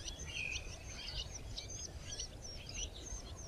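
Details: Red-backed shrike feeding its nestlings: a quick run of thin, scratchy chirps and short whistled notes, high-pitched and irregular, over a steady low rumble of wind.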